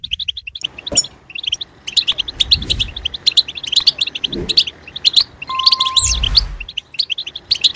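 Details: European goldfinch song used to stimulate other goldfinches: quick high twittering phrases with sharp chirps, over low thuds and rumbling knocks, plus a brief steady tone near the end.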